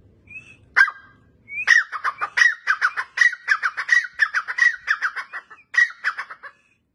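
Grey francolin giving a loud, harsh run of clipped, ringing notes, several each second, lasting about five seconds after a brief opening note.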